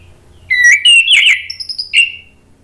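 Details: Orange-headed thrush (Anis Merah) song used as a lure to make other thrushes answer and sing, and as therapy for birds that stopped singing: loud whistled phrases gliding around mid-high pitch with bright chirpy notes, ending in a falling whistle, over a faint low hum.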